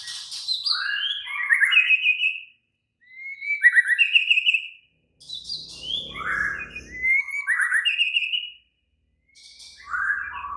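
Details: Agitated, excited White-rumped shama singing actively: bursts of rich whistled phrases with buzzy trilled notes and rising slurs, each burst about two seconds long and separated by short silences, with faint low noise in the middle.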